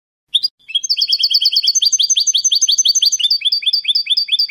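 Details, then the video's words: Spanish-style salon song of a European goldfinch, a clean continuous recording: a brief opening chirp, then a long fast run of rolling, liquid twittered notes repeated evenly, some doubled and slightly descending. "CANTO DE SALON JILGUERO"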